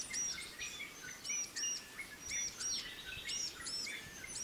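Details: Female pied fantail feeding her young in forest; thin high whistled arching notes repeated about once a second, with lower chirps and soft background ambience.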